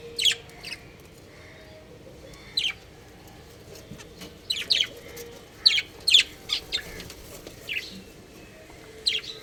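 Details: Budgies chirping at home: bright, clipped high notes come singly or in quick clusters across nine seconds, with pauses of a second or more between bursts and a faint household hum beneath.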